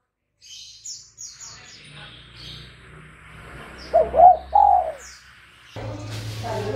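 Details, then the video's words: Spotted dove used as a calling lure for other birds. It gives a single three-part coo of two short notes and a longer one, over steady low hum, background noise and faint high twittering. "LANGSUNG NYAUT dan IKUT BUNYI dengan pancingan terkukur GACOR ini"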